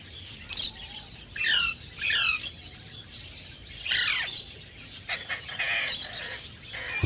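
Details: Breeding cockatiels giving sharp squawks and warbling downward-sliding chirps in scattered bursts, with other chattering birds and background noise around them.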